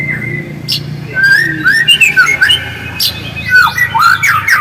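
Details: White-rumped shama, real recording used to provoke singing: a quiet start, then a stream of clear whistled notes, slurred upward and downward, with sharp clicks between them.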